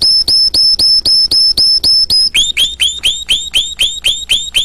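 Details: Canary singing in rapid repeated tours: about two seconds of evenly spaced high clear notes at roughly four per second, then a switch to lower, downward-hooked whistled notes repeated at a similar steady pace.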